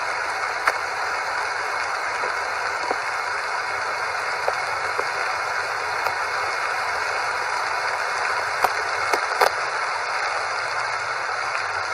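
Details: Steady broadband hiss with scattered sharp clicks throughout and no animal voice.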